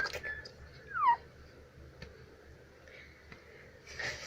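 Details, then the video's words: Indian Ringneck (rose-ringed) parrot, a pet, gives one clear, quick whistle sliding downward, then faint soft chatter and rustling in a quiet indoor room; it whistles, laughs and copies speech. "Mithu Whistles and Talks very sweetly"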